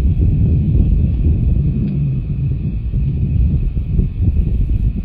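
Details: A heavy low rumble of wind or engine with a faint steady hum throughout, and no animal sound.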